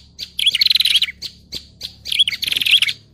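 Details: Lure call for trapping prinias of all kinds, from Indonesia: two separate bursts of squeaky, chattering notes with quick downward slurs, each lasting under a second and split by soft single chips.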